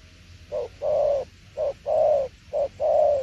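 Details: Spotted dove singing tiểu liên nước coos, three evenly spaced pairs, each a short low note and then a fuller, longer hollow coo, over a quiet faint hum.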